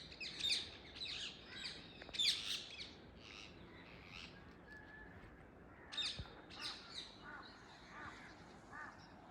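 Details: Early morning in a tree, wild Indian ringneck parakeets give loud rasping screeches in clustered bursts, a quieter gap midway, then more harsh calls; outdoor ambience beneath.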